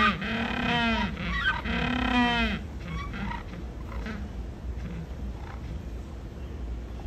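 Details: Penguins calling loudly: two long nasal braying blasts in the first few seconds, then quieter scattered grunts and background noise.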